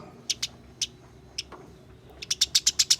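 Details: House sparrow fighting call, played to make sparrows sing: short bright chirps, a few scattered notes then a fast run of about seven sharp chips near the end, over a low background hum.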